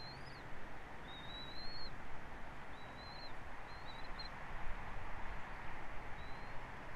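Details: Bald eagle at Captiva, recorded by a live camera on 29 December 2023 at 14:31 in the afternoon: thin, high whistled chirps rise and fall in short bursts every second or so over a steady low rumble of wind or traffic.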